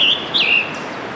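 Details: Scarlet tanager in Letchworth State Park, Upper New York State, recorded June 3, 2015: two short, husky whistled phrases, the second rising then dropping, against a low hiss.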